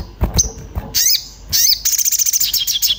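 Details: Orange-bellied flowerpecker, agitated and searching for a companion, recorded as a lure to make birds sound: a thin whistle and harsh high downslurred calls, ending in a rapid twittering trill of high notes.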